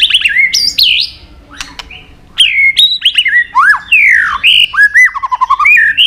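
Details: White-rumped shama singing a long training song with many wild-style phrases: loud whistled notes sliding down and up, sharp clicks, a brief pause, then rapid varied fluty phrases and quick descending trills.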